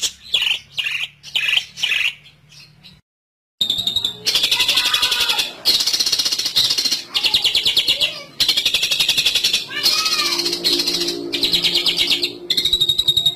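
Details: Long-tailed shrike sound used as a lure to attract birds for trapping: bursts of harsh, scratchy, high chattering notes, a short silence after three seconds, then dense continuous rasping chatter with brief pauses.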